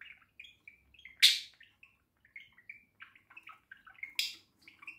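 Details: Pet budgerigar on a house roof chattering in a continuous warble of short, bright chirps and clicks, with two sharp loud notes standing out, in a quiet indoor-sounding setting.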